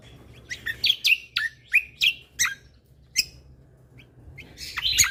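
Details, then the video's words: Lesser green leafbird (cucak kombo), singing energetically as tutor material with tembakan phrases: loud separated chips and rising-falling whistles roughly every third of a second, a short lull, then a strong burst at the end. "Cucak Kombo Gacor Mentalan Pas Untuk Masteran Burung Isian Tembakan"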